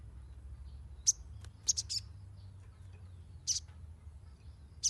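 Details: Sunbird chirping, played to teach young birds: piercing high chips arrive singly and in quick pairs and triplets at uneven gaps, with quiet low rumble underneath.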